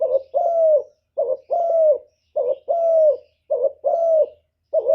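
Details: Decoy spotted dove calling to attract wild birds, giving repeated two-part coos: a brief hooting note followed by a sustained, slightly descending mellow coo, about four phrases in steady succession with short gaps.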